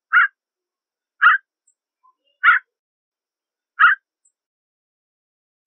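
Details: Four coarse, barking calls from a Canada jay, spaced one to one and a half seconds apart, with faint tiny notes in between and silence around.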